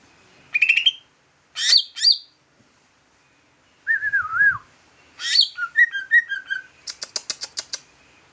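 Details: Big leafbird singing with a trucukan flavour: scratchy rising notes, a warbled whistle sliding downward, chattering buzzy phrases with slurred whistles, and a closing series of fast high ticks.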